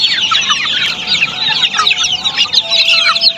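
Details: Crowded Australorp chicks on a poultry farm giving loud, high, tightly packed peeps, a ceaseless twittering chorus with a faint steady hum beneath.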